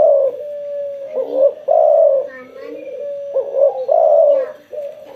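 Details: Spotted dove cooing energetically following sunbathing, with repeated low, mellow coo phrases linked by steady drawn-out notes and occasional faint voices behind.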